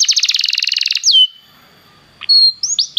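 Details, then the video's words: Belgian canary singing: a fast run of about twenty evenly repeated chirps, then a falling whistle, a pause, and several clear rising and falling whistled notes. "canário belga muito lindo cantando"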